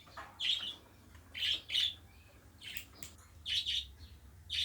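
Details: Tame pet budgerigar chatter indoors: short harsh chirps and scratchy warbled notes coming in separate bursts about once a second, against a low steady room hum.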